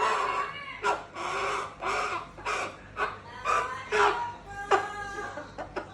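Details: A pet Moluccan cockatoo making rough, chicken-like clucking and crowing sounds: harsh, nasal squawks in bursts of about half a second, roughly one every second, some with a rising then falling tone, in a quiet indoor setting.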